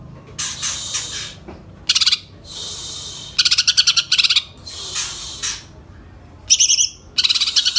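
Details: Greater green leafbird singing actively: loud, high bursts of buzzy, scratchy phrases alternating with fast stuttering trills of rapid pulses, each burst about half a second to a second long with short gaps between, over a quiet background.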